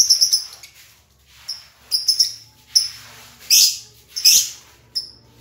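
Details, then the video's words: Lovebirds among singing, sleeping and paired birds; soft high chirps and short twitters spaced apart, with a few louder harsh, noisy squawks. "LOVE BIRD || ADA YANG GACOR ADA YANG TIDUR ADA YANG BERDUAAN"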